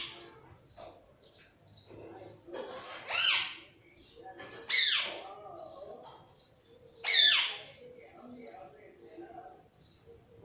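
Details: Household pet parrot chattering: a steady series of short high chirps roughly every half second, broken by three loud harsh screeches, with faint lower background murmur.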